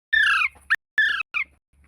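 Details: Parrot talking: two loud, harmonic, slightly falling vocal phrases, each about a third of a second long, separated by short clicks and followed by a brief, higher syllable against a quiet background.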